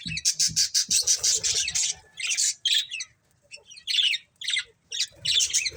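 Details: A fast run of rapid, pulsed squawky notes opens, then budgerigars continue with broken buzzy chirps and short squeaks after a pause.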